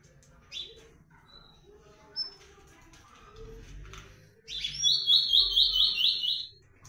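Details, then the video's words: An ultramarine grosbeak (Blue-black Grosbeak) calling and singing at the start of its season: a few scattered chirps, then a loud two-second warbled phrase of quick repeated high notes, with faint background sounds underneath. "Azulão comanche chamando e cantando"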